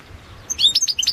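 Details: Balkan goldfinch, Carduelis carduelis balcanica, singing for a 2022 world championship entry: a short burst of sliding, bright high notes breaking into quick chirps after a brief quiet start.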